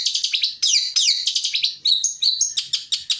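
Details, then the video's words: Long-tailed shrike singing in the rapid 'tembakan' style, recorded as a training song for other birds: a fast, jerky string of sharp high chirps and rising and falling whistled notes, about three a second, with no background noise. "MASTERAN TEMBAKAN CENDET AUTO NGACOR"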